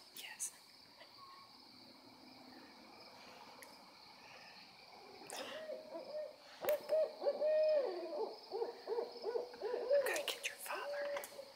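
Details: Multiple owls calling excitedly: after several quiet seconds with a few clicks, a rapid chorus of bent hooting notes starts, about four per second, overlapping and uneven, with occasional sharp taps.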